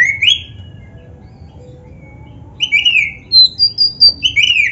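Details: Black-breasted oriental magpie-robin song with varied fill phrases, played to train caged birds: one short whistle, a long quiet pause, then a quick series of slurred whistles and high pure notes.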